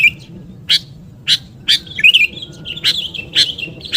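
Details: Sooty-headed bulbul lure calls: clipped chips at uneven intervals, then a bubbling, wavering whistled phrase and more short notes at the end.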